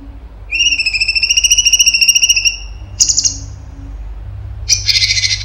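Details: Cucak cungkok giving 'tembakan' song: a long, high, rapidly pulsed whistle of about two seconds, followed by two short, harsh, high chirps, over a faint low hum.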